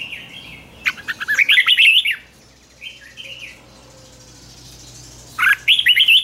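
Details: Caged red-whiskered bulbul in morning song training, ché style; a rapid warbled phrase, a short quiet note pair, a few seconds of near silence, then another burst of bright whistles.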